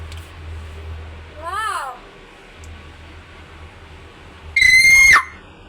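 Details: Pet hill myna answering its owner's urging to call loudly; a brief wavering up-and-down note, then a loud piercing flat whistle that falls away abruptly at its end, over a faint low hum.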